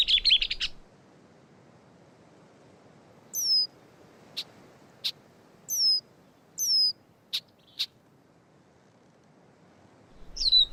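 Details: A Gray Catbird giving fine imitations of other birds' songs: a brief buzzy rattle, then spaced, separate high notes, some sharp clicks and some descending slurred whistles, ending in another high slurred phrase.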